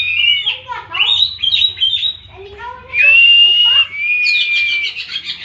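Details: Oriental magpie-robin song of varied chirps and slurred notes followed by long steady whistles and a scratchy trill at the end.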